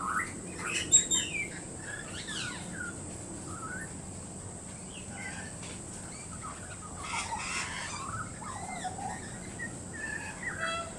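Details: Young fledgling pied butcherbird, visiting with a parent near a water feeder on a January 21, 2019 morning, tests its voice with loose, irregular fluting warbles and quick rising and falling slurs over a constant high, thin hiss.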